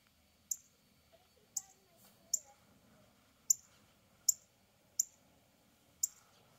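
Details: Mating call of a male northern cardinal, a series of seven short, piercing, high chips at slightly uneven intervals of roughly one second, each crisp and clipped, with soft background rumble between notes.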